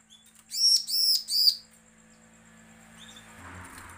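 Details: Bar-winged prinia giving a threatening call, used as a lure to provoke other prinias into singing: three loud, harsh, buzzy notes about half a second apart, followed by faint rustling background noise.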